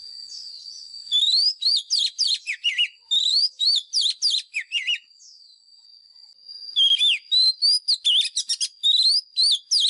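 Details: Oriental magpie-robin lure bird delivering fighting song for voice training: long runs of fast, varied whistles swooping up and down, broken by a short pause, with a thin steady high tone behind.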